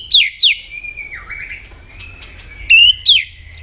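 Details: White-rumped shama in competitive song: two swooping high whistles, a softer falling note, then more bright upslurred and downslurred whistles with crisp clicks.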